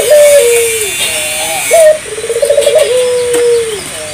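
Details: Spotted dove singing persistently, played to prompt local doves to sing; a series of low cooing phrases, each opening with a sharp note, then a quavering stutter and a long drawn coo falling at the end.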